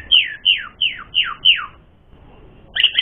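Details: Asian pied starling singing to provoke rivals to fight: five bright notes, each sliding steeply downward, spaced about a third of a second apart, then a short silence and a couple of sharp chirps.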